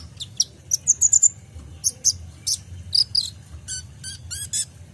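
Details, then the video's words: Kolibri ninja sunbird singing, used as a tutor recording for caged songbirds: sharp, very high chirps and twittering notes in quick irregular bursts, with a fast run of rising notes near the start, over a faint low hum. "PANCINGAN KOLIBRI NINJA (Konin) FULL ISIAN tembakan mantap"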